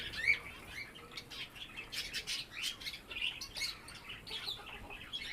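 Budgerigars warble in a busy stream of scratchy chirps, clicks and thin whistles, with wingbeats mixed in.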